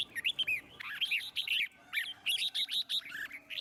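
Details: Red-whiskered bulbul singing in forest-voice style to stimulate other birds; loud, clear whistled phrases of bouncing, slurred notes, repeated almost without pause across the whole stretch.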